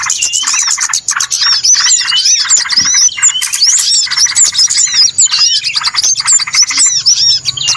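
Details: Small birds on a noisy lure recording used to attract birds for trapping: dense, continuous high chirps and rapid twittering overlap throughout, with sharp rising and falling whistled notes scattered over the busy chatter.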